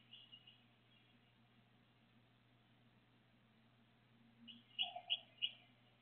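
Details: Bluebird nestlings, two of them aged five days, recorded at the nest in Decatur on 29 May 2021: faint high peeps at first, then a quick cluster of four sharper thin chirps, with a constant low electrical hum behind.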